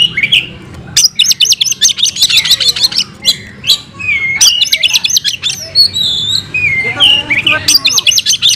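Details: Oriental magpie-robin in full fighting song, a kept bird: bursts of fast buzzy chatter and mimicked notes alternate with sliding whistles and brief pauses, over a faint low background hum.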